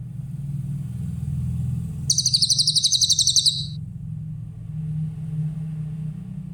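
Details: Grey-headed canary-flycatcher song used as a tutor recording for training other songbirds: a single rapid, high, glittering trill of fast repeated notes lasting about a second and a half, over a steady low rumble like passing traffic.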